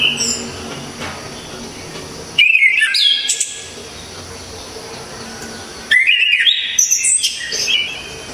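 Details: Orange-headed thrush, a loud, clear songster used to tutor other cage birds: two bursts of fast, varied whistled phrases about three and a half seconds apart, separated by near quiet.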